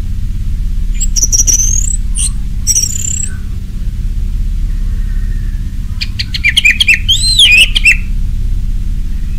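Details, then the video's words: Ngeplong-style song of an orange-headed thrush, a lure recording meant to set other birds singing: high thin rising whistles and clicks early on, then a quick run of warbled, looping notes after a pause, with a low background rumble. "Anis merah ngeplong, Pancingan Anis merah di jamin teler"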